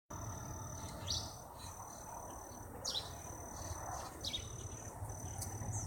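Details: A red-eyed vireo sings at Hooks Woods, Galveston County, in short, quick phrases about every one and a half seconds, over a steady high insect drone and low rumbling background noise.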